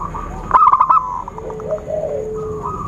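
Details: Zebra dove call played as a lure for trapping birds: one quick burst of about five clipped, cooing notes, then a steady whistled tone and softer warbling from other birds behind.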